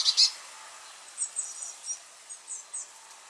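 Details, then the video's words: Young Eurasian blue tits: a loud short buzzy burst at the start, then a run of thin, high, spaced squeaky notes. "Jonge pimpelmezen l Young blue tits"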